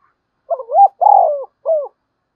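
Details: Spotted dove thúc bổi, urging a rival dove to answer. One clear phrase over silence: a quick upward-sliding coo, a long buzzy coo that falls, then a brief closing hoot.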